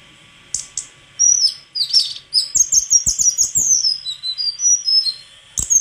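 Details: Song of a white-throated flycatcher, with scattered clicks at first, then a rapid series of high, slurred chirps and buzzy trills, ending with thin drawn-out whistles and a final click.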